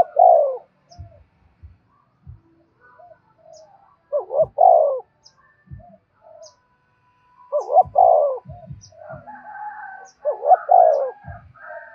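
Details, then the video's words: Cooing of a spotted dove used to lure wild doves: four strong phrases, each a brief upward note followed by a longer sliding coo, separated by low thumps and faint softer calls. "cu gáy thúc bổi và gáy gọi cực đỉnh, tiếng chim cu gáy hay và nhạy bổi"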